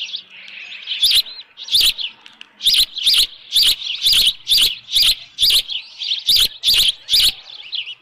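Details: Osprey at its nest at Dunrovin Ranch with a headless fish, evening of 10 June 2018 at 6:41 PM. High whistled chirps come in quick bursts about twice a second, with sharp clicks between some notes.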